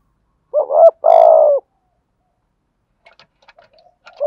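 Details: Spotted dove in thổ-style cooing played to provoke males to sing: one clear low phrase, a short wobbling double note then a long steady coo sliding down, followed by faint scattered clicks and the start of another coo.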